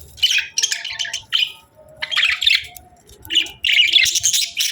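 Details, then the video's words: Budgerigars chirping in bursts of bright, scratchy warbling notes, separated by short pauses, with a faint low hum underneath. "Budgies Chirping Sounds"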